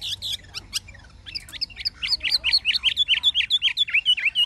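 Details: Chinese hwamei, an old wild-caught caged bird singing in the true forest-voice style: a few sharp chirps, then a rapid run of loud, clear whistled notes, each bending up and down, repeated more than twice a second over low background hum.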